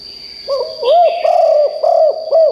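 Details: Decoy spotted dove kept to lure wild birds, calling loudly: a phrase of about five low, rounded coos, each arching up and down, the later ones longer, over a steady thin high whine.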